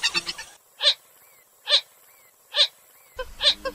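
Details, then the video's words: Purple gallinule (kalim) call, used as a hunting lure: loud hoarse notes spaced under a second apart, with brief silent gaps between them and a jumbled burst of calls at the start and the end. "কালিম পাখির ডাক। Purple Gallinule । Swamphen"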